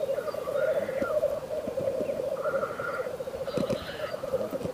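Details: Black grouse in a frosty landscape giving a continuous low, bubbling, dove-like rookooing that rolls on without pause, swelling slightly now and then, with a few faint clicks behind.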